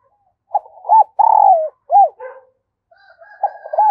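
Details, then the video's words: Spotted dove decoy call, used to lure wild doves: a short series of mellow, hoarse coos near a low pitch, with a drawn-out falling coo in the middle and soft notes after a pause. "Tiếng Chim Cu Gáy Mồi Kích Bổi"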